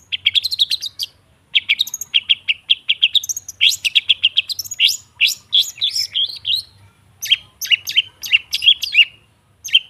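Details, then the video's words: Long-tailed shrike singing as a training lure for birds that have stopped singing: continuous harsh, scratchy chatter in quick groups, with sharp high squeaks and short downslurred notes woven through. "Suara TERAPI pancingan cendet /pentet macet total , di jamin buka paruh"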